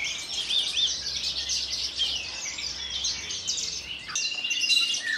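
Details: Javan bush lark from Kulon Progo, Indonesia, a captive collection bird known to hover, land on a perch stone and sing Jambul style. It delivers a continuous, busy stream of high, scratchy warbles and rapid chirps with almost no pauses.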